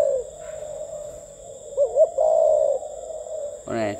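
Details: Captive spotted dove giving a 'gù tít' style coo: two short rising notes then a longer level coo, over a steady low hum, with a man's voice at the end.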